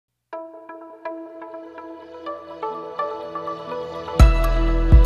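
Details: Gentle piano-like music plays with sustained ringing notes that build in density, ending in two loud low thumps.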